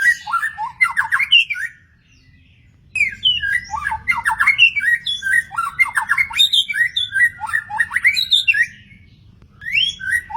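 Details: Wild magpie-robin singing in bursts of varied phrases: quick whistled slurs, rising notes and harsh scratchy elements packed together, with a short silent gap near two seconds and a steady low rumble underneath.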